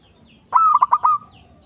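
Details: Single phrase from an actively singing local zebra dove, kept as a trapping lure: one high, ringing coo chopped into about five quick pulses, then fading.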